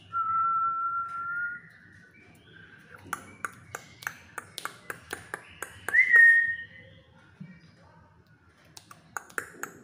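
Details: Pet black-capped lory, described as a diligent talker and very vocal, gives a long steady whistled note, then a run of sharp rapid clicks, a brief rising whistle, and a few faint clicks near the end.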